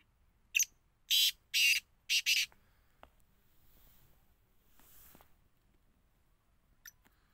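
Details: Rasping call series of a black francolin: one short note followed by four loud, broad, scratchy blasts in quick succession, then near silence with a faint rustle.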